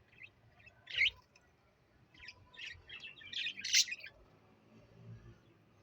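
A pet parrot gives scratchy, high chirps and squawks in short, uneven bursts.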